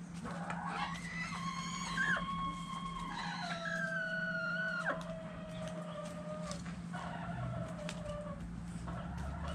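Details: Chickens and roosters during a dirt bath, with several drawn-out, harmonic crowing calls that hold level or slowly fall, overlapping one another, over a constant low background hum.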